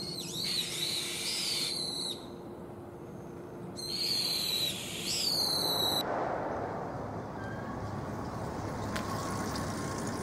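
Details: Young brown-eared bulbuls calling back and forth in a calling contest, lively from early spring into summer. Two loud, shrill, harsh screeching calls with buzzy overtones, each about two seconds long with a rising start, then a steady low hum of background noise.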